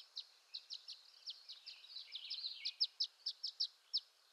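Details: Violet-green swallow from western North America: a rapid series of short, high chirps and twitters, clustered and uneven, with a brief run of buzzy warbling in the middle.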